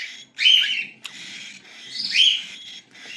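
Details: Two loud, wheezy cockatiel chick calls, each swelling into a shrill rising squeal, with a click between them and a quieter hiss at the end.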